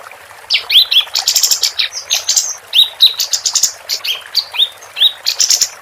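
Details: Female capped white-eye singing actively, recorded as a tutor track for contest songbirds: a busy stream of high, thin, upslurred chirps mixed with fast buzzy trills, delivered almost without pause.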